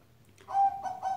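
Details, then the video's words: A zebra dove gives soft, mellow, mid-pitched coos, one longer rolling note followed by two quicker ones, over a faint hum. "Maaf ya, ditemani burung perkutut yang sedang berkicau."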